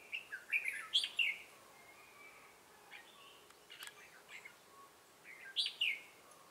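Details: Red-whiskered bulbul used as a decoy for trapping, Bình Phước, 25 June 2018, giving 'Ché' style song: a cluster of quick chattering warbled notes, a pause with faint calls, then another loud bubbly phrase near the end.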